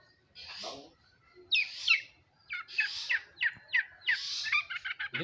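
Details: Long-tailed shrike, Madura type, in full song: rasping, noisy bursts followed by a rapid string of sharp chirped notes that grow denser toward the end, on a quiet background.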